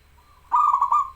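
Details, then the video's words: Local zebra dove singing, used as a master recording to stimulate doves that rarely sing: a soft lead-in note, then a loud rolling series of fused cooing notes, closing on a steady held tone. "BURUNG PERKUTUT LOKAL GACOR SUARA UNTUK MASTERAN DAN PANCINGAN"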